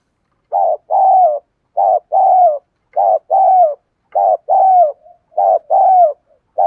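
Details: Spotted dove used as a decoy to provoke other doves, giving a fast cooing song: short hoarse coo followed by a longer falling coo, pairs repeated about every second and a quarter, clean and loud.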